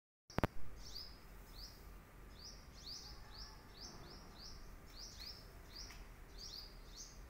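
A hummingbird gives a run of thin, high, slightly falling chips, several per second, over a steady low rumble of background noise.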